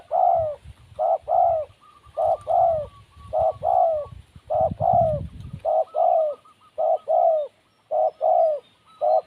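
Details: Wild spotted dove in a long run of regular coo pairs, short then drawn-out, about once every second, over low rumbling early on and faint high chirps of another bird.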